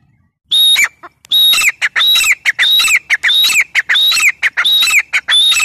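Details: Grey francolin, known locally as teetar, calling in a loud repeated series of harsh phrases, each a high whistled note followed by a falling squeaky note, repeating roughly every half second after a brief opening pause.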